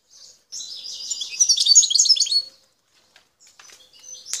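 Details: Wild parva goldfinch from the El Tarf region of Algeria, around Bouteldja. A single dense, high twittering phrase swells and fades within two seconds. Faint scattered chips and a sharp click follow.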